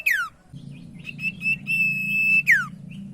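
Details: ['Common iora lure song for prompting silent birds to sing: falling whistled slides at the start and end frame short rising notes and a held whistle, set against a steady loud low hum.']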